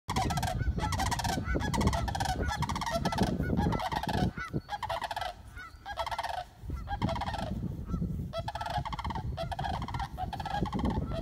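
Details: Sandhill cranes (Grus canadensis) at Cardinal Marsh WMA, Winneshiek County, Iowa, call loudly over one another in a steady stream of rolling, trumpeting notes.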